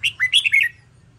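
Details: Short bright burst from a red-whiskered bulbul trained for singing competitions, a tight string of five clear whistled notes swooping up and down within under a second.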